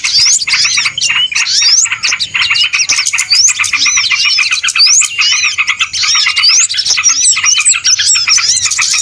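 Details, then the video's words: Small birds on a lure recording used for trapping, crowded chirping and squeaky upward-sweeping whistles repeated quickly, several callers overlapping in a busy, noisy chatter. "SUARA PIKAT BURUNG RIBUT"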